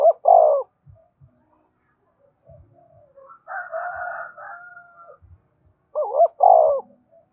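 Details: Spotted dove luring others with soft low coos that open and close the recording, each a quick hooked note and a drawn-out falling coo; a rougher, higher wavering call fills the middle.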